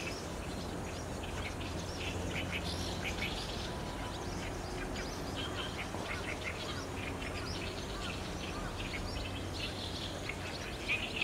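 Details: Barn swallows gathering at their roost on a cloudy 30 June 2019, recorded with a DSLR camera: a dense, steady chorus of short high chirps and twitters from many birds, over a constant low rumble of background noise.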